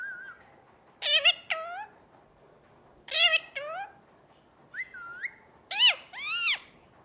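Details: Talking parrot giving a mix of clear whistled notes, some rising and some falling in arches, along with harsher chattering calls in short bursts, over soft background noise.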